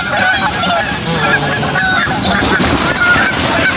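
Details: Goose behaving aggressively toward other geese, giving a dense, overlapping series of harsh honks and nasal calls throughout, fast and irregular, possibly from several birds, against steady background noise.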